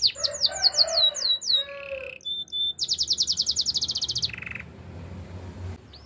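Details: Singing master canary: quick high downswept notes over a low gurgle, a short buzzy phrase, then a fast pulsing trill and a rolled buzzy tour that fades out.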